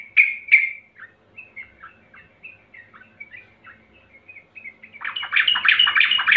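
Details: Sooty-headed bulbul lure recording to get untrained birds singing: two loud sharp notes, a string of soft quick chirps, then a sustained loud bubbly chattering passage.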